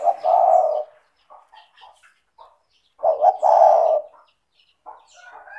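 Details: Spotted dove (tekukur) calling freely, offered as a prompt for doves that are lazy to call: two full, low, hollow cooing phrases about two seconds apart, with soft faint chirps of other birds in between.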